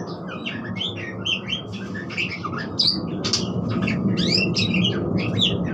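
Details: Budgerigar warble: dense, rapid chirps, squeaks and buzzy notes in a nearly continuous chatter, over a soft low background hum.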